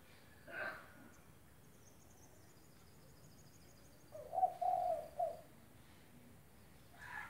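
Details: Spotted dove (tekukur), a lively calling bird used as a model for training other doves, delivers one low hollow three-part coo partway through. Faint high insect-like chirping and a few brief other bird notes frame it.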